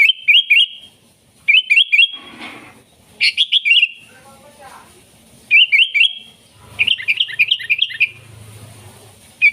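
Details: Energetic sooty-headed bulbul song meant to call in wild birds and serve as a master song: short bursts of three or four bright, bubbling chirps separated by brief pauses, with a faint hiss behind.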